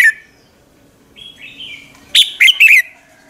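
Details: Red-whiskered bulbul singing in the morning as a lure bird; one sharp note, a soft whistled tone, then a quick run of three bright, downward-sweeping chirps.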